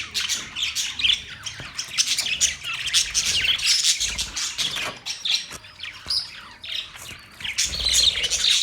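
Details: Budgerigars keep up a lively warbling chatter of fast chirps, squeaks and rasping notes, swelling louder toward the end.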